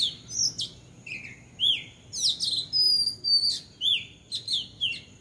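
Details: Bulbul on a house roof giving a lively run of bright chirps and short downward-slurred whistles, repeated about twice a second with uneven spacing, some notes very high and thin, over quiet background.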